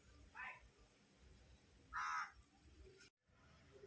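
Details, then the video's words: Hungry crow with two separate harsh caws, a short one early and a louder, longer one near the middle, over faint background rumble. "Hungry Crow"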